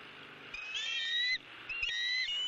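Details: Bald eagles at a nest in Southwest Florida on January 28, 2017. An adult has just delivered an opossum, and a month-old eaglet is tearing at the prey. Two high, thin, harmonic piping notes sound against quiet background hiss.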